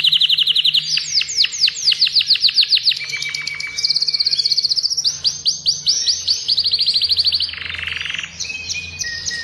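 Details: Intense yellow adult male Agatha-breed Belgian canary pours out song meant to excite a hen for breeding and coach young: long series of rapid repeated upswept notes, rolling trills and a lower buzzy passage.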